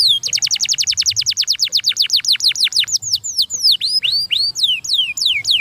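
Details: Fast canary song: roughly twenty quick repeated downward-sweeping notes in a steady run, then a jumble of higher, varied whistled sweeps.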